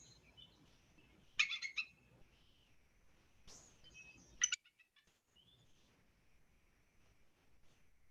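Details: An eagle in a recording of Maine's raptors gives three bursts of high, stuttering, cackling, gull-like notes a couple of seconds apart with quiet gaps between, unlike the red-tailed hawk scream used in movies.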